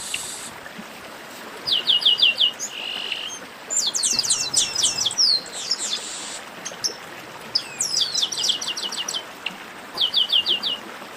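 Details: Chestnut-capped blackbird 'baderna', a noisy flock chorus: short bursts of rapid evenly spaced high clicks, buzzy trills and sliding whistles, separated by brief quiet stretches.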